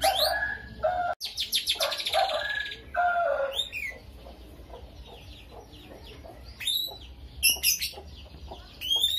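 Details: Chatty lovebird with starling-style song fill, played to provoke lazy birds into singing: dense buzzy chatter and rattling trills for several seconds, a lull of faint twitters, then sharp high chips and short whistles.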